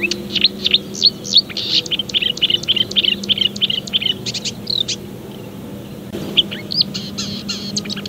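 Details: Marsh Warbler singing a fast, dense run of high, sharp chattering notes and short trills in varied phrases, a brief lull near the fifth second, then renewed bursts; a steady low hum runs underneath.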